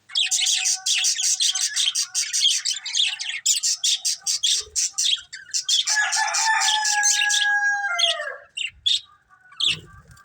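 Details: Budgies in a family group giving rapid, regularly pulsed high chirps for several seconds, then a drawn-out, slurred whistle-like warble before quieter notes.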